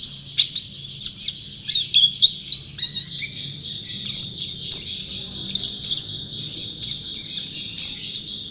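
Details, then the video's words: Pleci, a white-eye kept as a songbird and called a champion singer in full voice; rapid, continuous high chattering song of quick twittering notes and sweeping slurs, run together with barely a pause. "Burung Pleci Juara Gacor"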